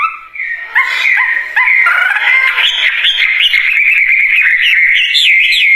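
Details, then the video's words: Wambie bird in full song: after a few soft, short notes, a continuous loud stream of bright whistles and quick, twisting slurs follows, steady and unbroken to the end. "Kicauan Burung Wambie Gacor Dorr"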